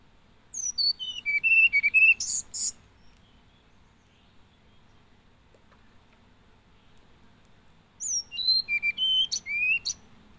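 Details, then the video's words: Two song phrases from a hill blue flycatcher, about seven seconds apart. Each is a cascade of pure whistled notes descending stepwise from very high to mid pitch, ending in a few sharp chips. Quiet between phrases. "Hill Blue Flycatcher Bird Song"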